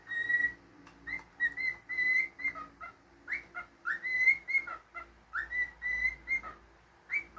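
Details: Long whistled tune from a pet cockatiel: a steady run of bright, level notes mixed with swooping upslurs and brief lower notes, repeated about every two seconds with only short gaps.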